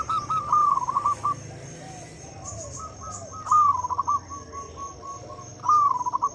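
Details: Zebra dove lure song meant to get silent local doves singing: repeated throaty trilled coo phrases, several softer distant coos between them, and a faint constant electronic whine.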